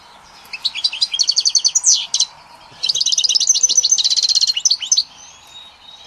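A European goldfinch sings a fast, liquid run of bright twittering notes and trills in two bursts, with a faint low hum beneath.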